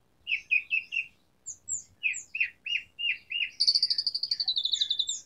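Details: Asian pied starling singing vigorously with a varied filled-in song: a run of harsh, chattering notes repeated about three times a second, then a rapid, high, even trill of clipped notes at the end. No other sounds are heard.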